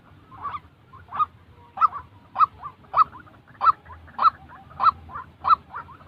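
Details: White-breasted waterhen voice used for training trapping decoys: a softer start building into regular, harsh, honking notes repeated close to twice per second, separated by fainter chattering notes, with low rumbling background noise.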